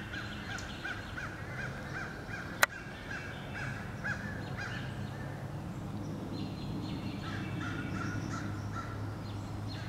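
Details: Crows attacking eagles again and again on 26 April 2015; fainter, scattered caws at moderate pitch, a sharp click near the start, and a steady low hum underneath.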